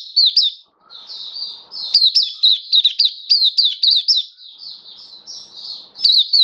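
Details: Caged Oriental white-eye singing, recorded 27 October 2022: a fast, continuous run of high, thin twittered notes, each a quick bent whistle, tumbling without pause, with faint low rustling in the background.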